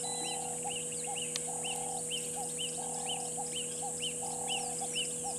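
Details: Wild Burchell's starlings perched in a tree at a waterhole in Djuma Game Reserve, South Africa, at 15:00 in November: a steady series of arched, upslurred high notes about twice a second, mixed with low warbling stretches, over a continuous hum.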